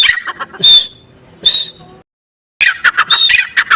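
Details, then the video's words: Partridge call in bursts: two rasping, high-pitched squawks with a whistled edge, a quiet gap, then a fast run of harsh, clipped notes. "teetar ki boli teetar sound teetar voice teetar ki awaz teetar ki awaaz"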